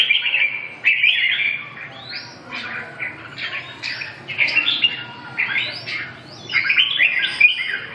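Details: Chào mào, the red-whiskered bulbul, singing a run of rising-and-falling whistled notes mixed with sharp chirps, in several bursts roughly a second or two apart.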